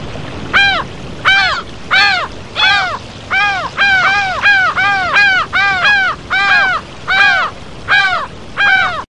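Laughing Gulls give nasal, arched 'kah' notes, about fifteen in nine seconds, the two birds' calls overlapping into a laughing series.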